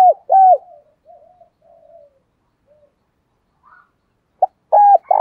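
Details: Decoy spotted dove calling to draw in wild doves; broken cooing with a clipped hollow coo at the start, soft trailing murmurs, then a pip and a fresh coo phrase beginning at the end.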